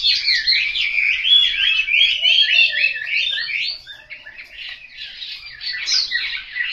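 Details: Caged Chinese hwamei kept at home in Hanoi, Vietnam, singing a loud, rich run of rapid warbled and whistled phrases, fast slurred notes tumbling up and down, dipping quieter near the end before resuming.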